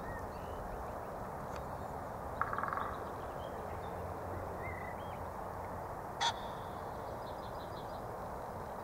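A pheasant gives two brief, harsh, raspy bursts several seconds apart over a steady outdoor rumble of wind and distant noise.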